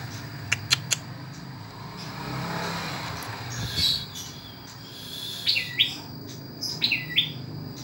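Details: Ashy tailorbird, native to Indonesia, described as small but loud and actively calling: a few sharp upswept chirps in the second half, after low engine-like rumble and clicks.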